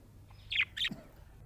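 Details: Happy budgerigar giving two short, bright, high chirps in quick succession over a quiet low background hum.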